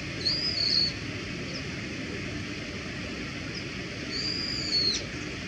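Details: Everyday call (地鳴き) of a wild Brown-eared Bulbul: two short, shrill, high-pitched whistles, one at the start and one about four seconds later, with a continuous low hum filling the gap.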